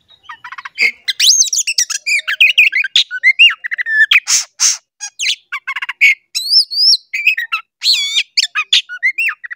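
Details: Oriental magpie-robin song played to rouse caged magpie-robins into singing: a rich, rapid, nonstop medley of whistles, chirps, harsh squawky notes and buzzy bursts, densely packed and constantly varied.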